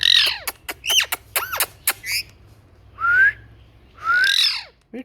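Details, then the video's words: Parrot vocalising: a burst of quick, sharp chirps and sweeping whistled notes, then two drawn-out, hoarse rising calls about a second apart, ending with a short squawk, over a low background hum. "Parrot Talking"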